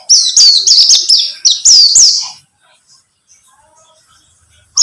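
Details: Buxtomi pleci, a white-eye, singing as a lure for other white-eyes. A rapid run of about eight high, ringing, slurred notes lasts two seconds, then silence follows.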